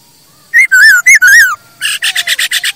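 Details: ['Masked laughingthrush song used as tutor and lure for captive birds: four loud, wavering whistled phrases, then a rattling series of harsh buzzy notes repeated quickly.']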